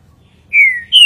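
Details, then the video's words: Green-winged saltator singing the five-note song style called "bom dia seu Chico boi": after quiet, a loud clear whistled note slides slowly downward for about a third of a second, then a higher, sharper whistle begins and is cut off. "trinca-ferro (bom dia seu Chico boi 5 notas)"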